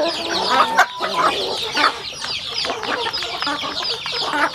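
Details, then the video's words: Flock of home-raised chickens eating, producing overlapping high, sliding cheeps with brief clucks and sharp pecking knocks. "Yummy sounds chicken eating"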